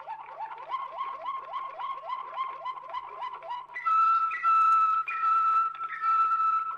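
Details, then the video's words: Waterslager canary from an old Belgian record: a series of quick falling slurred notes about three per second, then loud clear level whistled tones repeated in bursts. "Old Canary Waterslager Song - カナリアの鳴き声"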